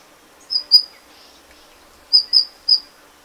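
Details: Golden bush robin (Tarsiger chrysaeus), call.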